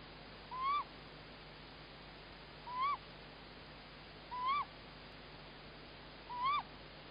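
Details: The female tawny owl Klaara calls in Estonia on 27 March 2018 at 20:21, while the male Klaus is thought to be bringing prey outside: four sharp, slightly hoarse rising-then-falling calls about every two seconds over a faint low hum.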